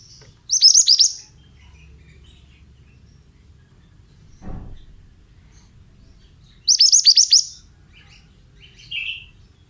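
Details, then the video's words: Singing male pied bushchat of the mountain type: two quick phrases of clipped, downslurred high notes about six seconds apart. Softer single chirps and a brief low thud fall between them. "Terapi Suara Burung Mantenan"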